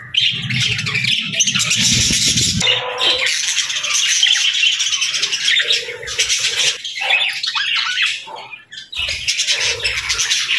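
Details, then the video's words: Budgerigars chirping together in a dense, overlapping chatter of high squeaks and warbles, with a low rumbling hum beneath during the first two and a half seconds and again near the end. "Beautiful Budgies Chirping Sounds"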